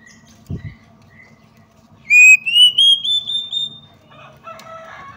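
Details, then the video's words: Female Oriental magpie-robin provoking males to aggression and tail-spreading: after faint scattered chirps and a low thump, one loud whistled run rises steadily and holds high, followed by softer mixed twittering. "PANCINGAN AGAR KACER CEPAT EMOSI, GACR DAN BKA EKOR || KACER BETINA"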